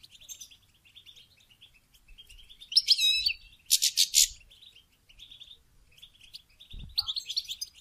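A goldfinch sings a rapid, tinkling run of high twittering notes with bursts of buzzy trills, broken by short pauses; a brief low thump comes near the end.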